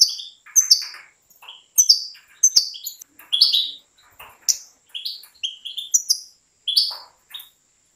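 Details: Professionally bred European goldfinch singing crisp repeated phrases of high, down-slurred notes mixed with scratchy twitters, about ten phrases in eight seconds, with a faint click near the start.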